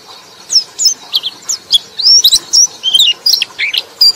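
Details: High twittering white-eye song meant for luring other white-eyes: short quick chirps and warbled sliding phrases, closely spaced, with brief gaps between bursts, against faint background hiss.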